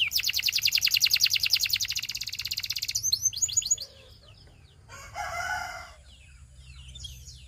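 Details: Belgian canary song meant to attract other canaries: a fast, even trill of repeated notes for three seconds, a few looping whistles, then quieter pauses and a short harsh burst.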